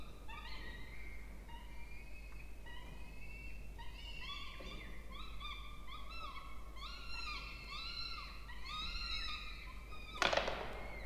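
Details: Peregrine falcon chicks, two in a water-tower nest box at Charles Sturt University, Orange, New South Wales, Australia, begging during a feeding on 20 October 2024; continuous strained, wavering whines repeated quickly, a sharp knock near the end, steady background hum.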